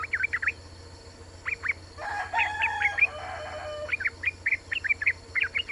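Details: Female Yellow-vented Bulbul calling to a male, a call used as a lure to make males sing: quick bursts of short, sharp chirps, a rich bubbling warbled phrase in the middle, then more rapid chirps, over a low hum.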